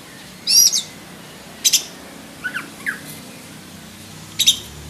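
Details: Sparse song from a black-breasted oriental magpie-robin: a few short, sharp chirp bursts and thin whistled notes separated by quiet gaps of about a second, over faint background hiss.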